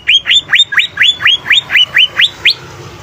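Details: Vigorously singing greater green leafbird gives a steady series of about eleven loud, rising whistled upslurs, evenly spaced a little over two per second.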